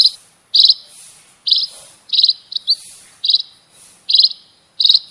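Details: Munia lure calls used to attract wild birds: short buzzy high chirps, about eight in five seconds, spaced roughly every half second with brief silent gaps, over a clean quiet background.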